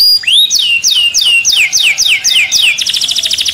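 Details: Excited canary in its cage opens with a rising whistle, then gives a steady series of about eight bright downward-curving notes, closing with a rapid buzzy trill.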